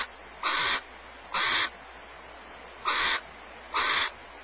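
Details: Male and female barn owls exchanging food at Starr Ranch, one snatching it back from the other; four short, harsh hissing screeches, each about a third of a second, spaced unevenly over a constant low background hiss.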